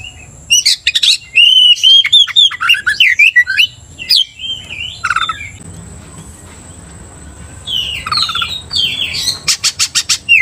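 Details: Oriental magpie-robin in full 'gacor' song meant to provoke aggression in another kacer: rapid bursts of varied whistles, trills and harsh scratchy notes, a quieter stretch, then more sweeping whistles and clicks.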